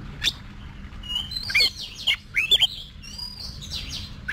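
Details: Competition-trained Oriental magpie-robin in a cage, singing sweet slurred whistles and a cluster of loud sharp notes mid-phrase, trailing off into softer warbles, with a low constant hum.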